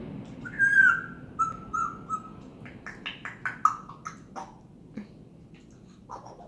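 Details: Pet bird indoors making various sounds including kiss sounds and whistles: a clear, steady whistled note held for about two seconds, then a quick run of short smacking, kiss-like clicks and chirps, fading out.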